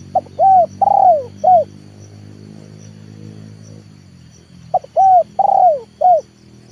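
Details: Trained leopard spotted dove calling to bring wild birds down to the yard. Two four-note coo phrases, about five seconds apart, over a loud droning low hum.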